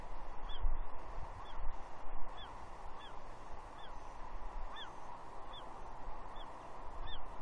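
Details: Young female bald eagle at Two Harbors, Catalina, on 30 June 2021, begging her father for fish; about nine shrill descending squees with faint overtones, evenly spaced, over steady background noise and light wind.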